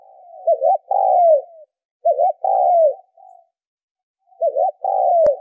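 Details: Spotted dove from Vietnam, recorded for use as a lure to excite and train decoy birds. Low, mellow coos: a short wavering double note, then a long, falling drawn-out coo. The phrase repeats with brief silent gaps. The background is clean.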